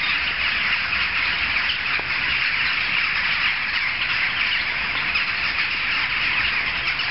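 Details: A crowd of jackdaws, heard from several streets distant, produces a thick stream of scratchy, overlapping calls with occasional louder squawks standing out briefly.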